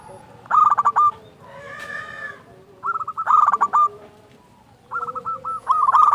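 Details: Loud local zebra dove song used as a lure to get other doves singing: bursts of rapid stuttering, pitched cooing notes, three phrases with pauses, and a soft burred note between them.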